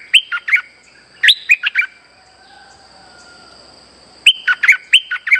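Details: Lure song of a streak-eared bulbul for bird trapping. Lively clusters of short, sharp warbled chirps come in three bursts, each four to six notes, with quiet gaps between them and a thin constant high tone underneath.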